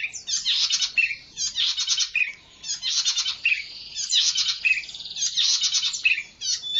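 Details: Zitting cisticola song used to lure and train birds: dense, chattering bursts of buzzy, rattling notes alternating with short downslurred whistles. Phrases repeat roughly every second with brief gaps and no other clear sounds.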